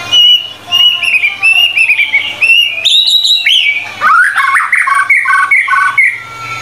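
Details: Loud White-rumped shama tutor song said to contain 25 materials: a long wavering whistled phrase, a bright high note, then a jumble of quick chattering and varied warbled notes.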